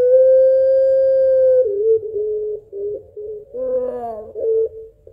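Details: Barbary dove of the puter pelung type calling for its mate: a level long coo of about one and a half seconds, then choppy, repeated short coos and a wavering laugh-like phrase with a low undertone.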